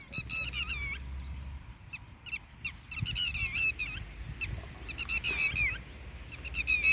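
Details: A red-wattled lapwing defending its eggs fights off dogs and lunges at the person filming, giving loud, shrill, rapidly repeated alarm notes in excited bursts, with a man's voice and soft music underneath.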